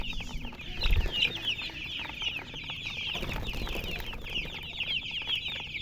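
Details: Young chickens chirping as a group: a continuous wash of bright, high, short peeps with a brief low thump near the start and soft rustling underneath.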